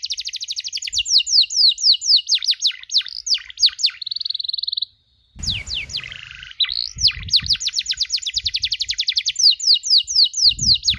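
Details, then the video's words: Canary on a training recording for teaching other canaries the cuit cuit chirp: quick repeated descending chirps, a steady buzzy trill, a short gap, then more rapid downward-sweeping chirps. "MASTERAN KENARI SANGAT COCOK UNTUK PAUD YANG LAGI BELAJAR BUNYI CUIT CUIT"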